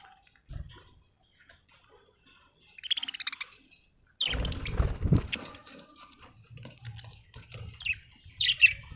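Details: Budgerigar giving a quick buzzy trill of repeated notes, then loud rustling or flapping noise, followed by a few sharp high chirps.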